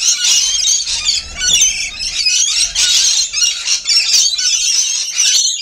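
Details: Rainbow lorikeets feeding, a dense flock chorus of shrill, screeching squeals and chattering squawks, high-pitched and continuous with brief dips in loudness.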